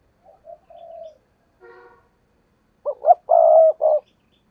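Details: Spotted dove used as a decoy to entice wild doves for trapping. Soft wavering coos and a brief harsh note lead into a loud phrase of quick notes ending in a long, rich coo.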